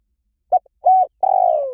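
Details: One dove phrase: a short hoot, a level hollow note, then a drawn-out coo that falls gradually in pitch. There is no background sound.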